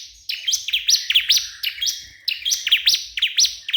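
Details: Crystal prinia calling a rival: bursts of sharp high chirps and looping whistled notes, grouped into two phrases with a fainter level whistle between them.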